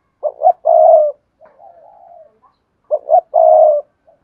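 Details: Spotted dove song in the Cườm Sa style, hạp bổi voice: two quick coos and a long, loud coo, then a soft wavering murmur, before the same three-part phrase repeats. Quiet background.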